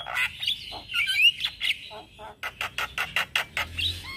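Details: Male black-winged starling singing in the morning, used as a lure and tutor song for starlings: harsh chattering phrases, squeaky whistles and a run of evenly spaced clicks in the second half.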